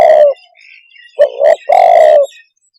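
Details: Spotted dove giving low, hollow coos: one long drawn coo, a pause, then a quick double coo running into a long falling coo, in a quiet setting.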